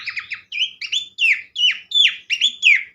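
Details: Horsfield's Babbler (pelanduk semak) song opening with a quick stuttered trill, then bright downslurred whistles repeated about every third of a second, each sharply attacked and falling away.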